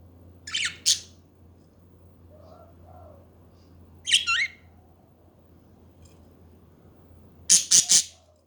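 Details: Budgerigar chatter in bursts: a pair of harsh squeaky notes, a warbled scratchy phrase a few seconds later, then a rapid cluster of loud grating chirps near the end, over a steady low hum.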